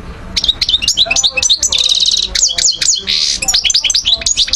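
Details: Algerian European goldfinch, 2012, delivering rapid twittering song with sharp chips, a buzzing trill, a harsh rasping burst and quick repeated slurred notes throughout.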